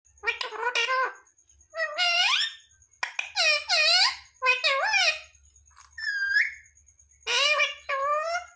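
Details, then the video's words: Pet parrot mimicking words such as "mummy papa": a run of high, harmonic speech-like phrases with sliding pitch, several short word bursts separated by brief pauses, and a steady faint high tone throughout. "Parrot talking mithu mithu 😱Mummy papa bolne wala mitthu"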